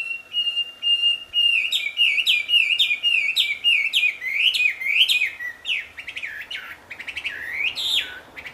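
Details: In the wild, a wambi sings a loud, sweet series of high whistled notes, each with a downward slur, repeated nearly twice a second and growing richer and more varied toward the end.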